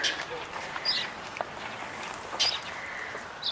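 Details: Northern mockingbird near a feeding spot at Alviso Adobe Park, not happy about something, gives three or four short, harsh, scratchy squawks at uneven intervals while a person talks quietly nearby.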